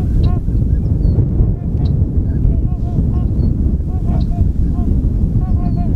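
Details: Sandhill crane taking flight in Tyre, New York, April 19, gives repeated rolling, bugling rattles in short bursts, partly buried under strong low wind noise.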